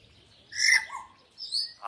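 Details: Common hill myna mimicking the word "Allah": a loud, short harmonic utterance with a falling tail, a brief higher whistled note after it, and another sound starting at the close; faint background hiss.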